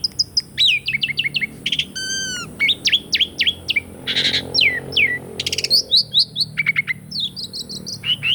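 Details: Asian pied starling song, played to rouse birds that have stopped singing: rapid strings of sharp downslurred chirps, buzzy rattles and whistled notes, almost continuous.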